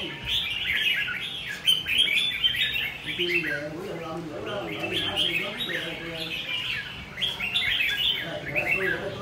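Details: Red-whiskered bulbul singing intensely in repeated bursts of bright, bubbling, slurred notes over about nine seconds, with a man speaking in the middle.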